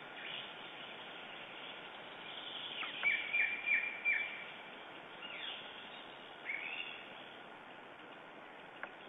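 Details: Lesser spotted eagle calling in the morning in Estonia on 9 June 2011: a quick series of short, downward-slurred yelping notes, several in a row, then scattered fainter calls over a steady background hiss.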